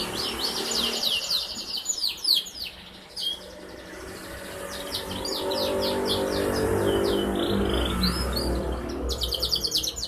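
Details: Young canary, four months old, recorded Wednesday 11 August 2021, singing eagerly while learning to sing fluently, used to prompt other canaries to sing; bursts of rapid, high buzzy trills and chirps, quieter in the middle over a low background hum.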